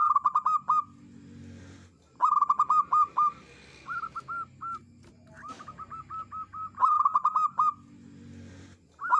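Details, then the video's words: Local zebra dove, a songbird used as a lure for trapping wild doves, singing clear, loud phrases of rapid rolling coos that end in longer notes, repeated in bursts about every two seconds. "merbok kampung perkutut lokal gacor suara jernih andalan untuk pikat"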